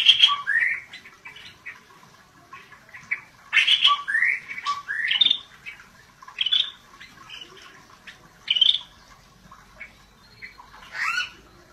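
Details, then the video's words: Scaly-breasted bulbul (cucak bersisik) singing gacor, a run of short, bright, bubbly whistled phrases, several rising or sliding, delivered in bursts about every second with brief pauses between, over a quiet background. "Cucak Bersisik GACOR DORR"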